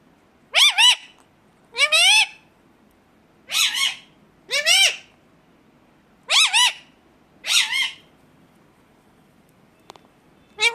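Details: Indian ringneck parakeet squawking naturally: loud, harsh, downward-bending screeches repeated roughly every one to two seconds, each burst brief and evenly spaced against a quiet background.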